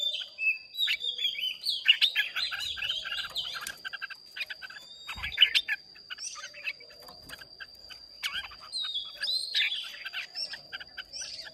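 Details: Several caged red-whiskered bulbuls at a Hoà Bình, Vietnam singing contest on 30 May 2023 sing at once, a dense overlapping tangle of sweet warbled and rising whistled phrases, with scattered clicks and knocks in the background.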